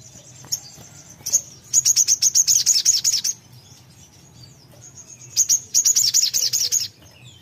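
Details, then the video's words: Songbird answering as soon as a recording is played: two strong bursts of fast, high, ringing chirps, each lasting about two seconds, separated by quiet with a faint thin tone. "putar sebentar langsung nyaut sogon nya"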